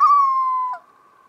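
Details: Common loon in the Boundary Waters Canoe Area, filmed on a Canon T2i camera: a short, clear tonal wail that slides slightly downward, then cuts off after under a second, leaving quiet background.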